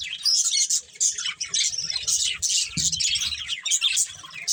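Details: Nonstop high budgerigar chatter from a breeding pair, rapid buzzy chirps and whistled squeaks packed together, with a faint low thump midway.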